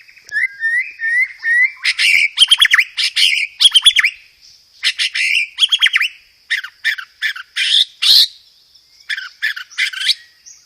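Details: White-rumped shama (murai batu) singing loudly and clearly, its song filled with fighting-sparrow (gereja tarung) material and dominated by rapid 'roll tembak' bursts: a whistled opening, then dense bursts of sharp, high chattering notes separated by short pauses.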